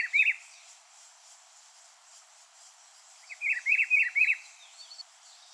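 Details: Rufous-browed peppershrike phrase of about four warbled, slurred notes after a brief fragment at the start, partly softer than the background hiss.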